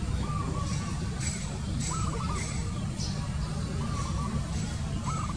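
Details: Zebra dove calling: short, rapid staccato trills of cooing notes, each burst under a second, repeated about every one to two seconds over a steady low rumble like engine or traffic noise, with faint higher chirps.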